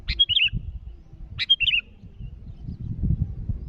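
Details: Two quick bubbly phrases from a sooty-headed bulbul calling rivals, each a sharp note and a tumbling warble, then a stretch of low rumbling noise.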